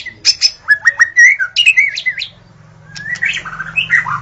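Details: White-rumped shama singing at dawn, a recording used to lure wild shamas: varied whistled phrases with sharp high clicks and slurred notes, a brief pause, then a rising whistle leading into rich warbling over a faint low hum.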